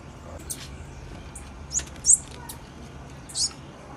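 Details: Female blue-black grassquit uttering a few short, piercing high chips, the loudest two seconds in, with faint clicks and low background hum.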